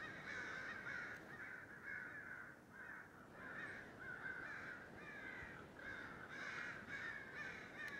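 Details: Crows calling from an oak tree outside a house, 11 December 2017, tail end of a racket that sounded like machinery: continuous chorus of hoarse, scratchy squawks from many birds, rising and falling, with background noise throughout.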